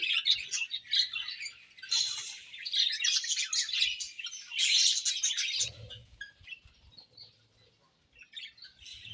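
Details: Several budgerigars eating and chirping, giving bursts of high rapid twittering warble that fade to scattered chirps, with low knocking sounds near the end.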